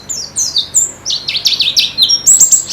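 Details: White-eye (pleci) song played as therapy to help a bird settle and sing more: rapid high, thin twittering notes, many sliding downward, delivered in quick bursts with brief pauses, bright and continuous.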